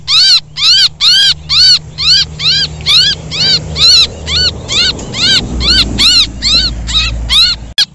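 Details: Lure recording of bird chicks calling for help, said to attract small birds and coucals: loud, harmonic, arched cries repeated about twice a second in a steady series, with a low rumble underneath midway.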